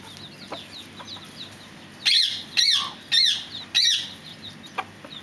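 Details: Fireback pheasant call series: four loud, shrill, rising-then-falling squeals spaced about half a second apart, with a few soft chips before and after.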